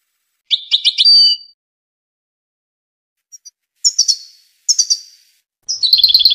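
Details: A Tunisian European goldfinch sings bursts of quick, high, tinkling twitters separated by brief silences, then breaks into a rapid, buzzing trill at the end. No other sounds.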